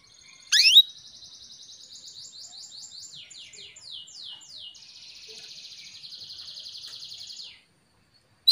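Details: Female Atlantic canary calling the male to stimulate him to sing: a sharp opening chirp, then a long, fast, buzzy trill of repeated high notes. It shifts into a denser rattling stretch and runs for about seven seconds before stopping.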